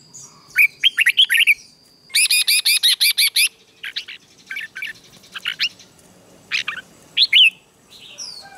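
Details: Red-whiskered bulbul phrases from a morning session coaching a freshly caught bird toward combative song; slurred warbling notes, then a loud run of about nine even buzzy pulses, followed by scattered clipped chirps and another whistled phrase.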